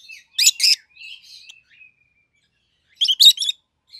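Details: A pet pair of rosy-faced lovebirds, one yellow and one green, gives shrill, harsh chirps: a loud double burst with softer twitters, then a second sharp cluster after a pause.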